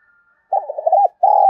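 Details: Spotted dove cooing to stimulate other doves: a quick warbling run of soft coo notes, then one sustained loud coo cut off by a click.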